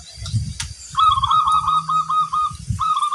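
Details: Local zebra dove singing actively, known for a big 'kung' voice: a rolling, warbled coo near one pitch, held about one and a half seconds, then restarting, over low thumping knocks.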